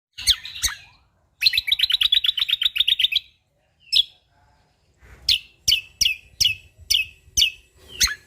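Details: Sumatran leafbird, called cucak kombo Lombok, singing energetically with natural-style phrases: sharp high chirps, a fast run of about a dozen rhythmic buzzy notes, a pause, then repeated bright falling whistles roughly every half second.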